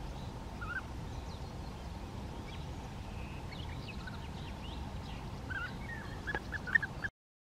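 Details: Bee-eater (Merops apiaster) by the Bečva river in the Czech Republic, gathering sand for its muscular stomach; soft purring notes open the clip and a quick run of trilled chirps closes it, over flowing-water rumble.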